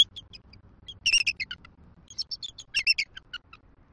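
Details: Bald eagle pair at a Southwest Florida nest trading squeaky morning greeting vocals at an incubation changeover, the female reluctantly leaving the eggs, 12.6.23; rapid high staccato chirps come in two loud bursts among softer scattered squeaks.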